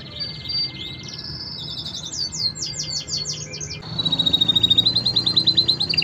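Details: Five canaries singing a training song, softer here behind a background hiss, with a buzzy rippling trill early on, then a steady high rolling trill of evenly repeated notes.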